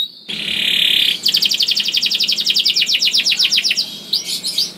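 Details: Canary song used to prompt other canaries to sing: a sustained buzzy note, then a fast run of bright chirps repeated about four per second, ending in brief sharp notes, with a faint low hum beneath.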